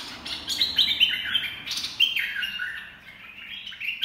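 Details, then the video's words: Red-whiskered bulbul singing in dok taeng style, meant for training chicks and luring birds: lively whistled notes in quick descending runs, several bursts close together before fading, then resuming at the end. "เสียงนกกรงดอกแตง เพลงน่าฝึกหัดลูกนก ล่อนกหัยคัก"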